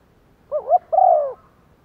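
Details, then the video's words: Decoy spotted dove calling to attract wild birds, one-ending coo style: one phrase of a brief wobbling double note followed by a sustained, gently falling coo, nothing else audible. "chim cu mồi gáy thúc và gáy gọi một hậu"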